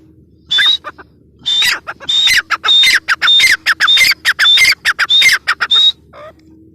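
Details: Female grey francolin, called teetar, giving loud harsh rhythmic phrases. Each burst carries a thin high whistled note, repeated nearly twice a second, with short pauses between bursts and a faint steady hum underneath.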